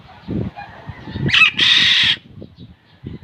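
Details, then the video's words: Black-naped oriole, locally called kilyawan, giving a single loud, harsh, nasal rasping note of under a second after faint low rustling and knocking sounds; quiet pause follows. "SOUND OF BLACK-NAPED YELLOW ORIOLE/KILYAWAN"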